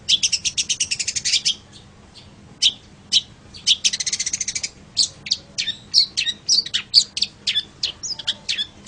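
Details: Long-tailed shrike singing, recorded for tutoring other songbirds. It opens with a quick buzzy rattle, pauses, then gives scattered sharp chips, a second rattle and varied squeaky, whistled notes.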